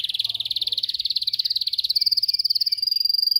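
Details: Training song for canaries: a loud, pulsing roll of quick repeated notes, about a dozen each second, stepping slightly higher in pitch halfway through.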